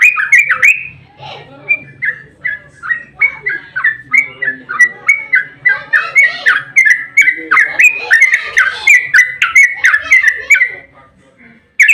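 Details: Sooty-headed bulbul in fighting mood, a long rapid 'ropel' song used to provoke other bulbuls to sing: a dense run of short, liquid, bubbly whistled notes repeated several times per second for about eleven seconds, with faint low hum beneath.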